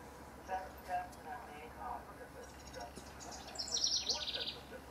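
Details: Rival house wrens, June 2015. Scattered soft lower chirps give way to one loud, fast, bubbly trill near the end.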